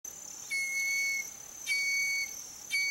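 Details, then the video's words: Whistling heron singing: clear, level, flute-like whistled notes, each lasting roughly half a second to a second and repeated about once a second. A steady high hiss runs throughout. "Canto da maria faceira"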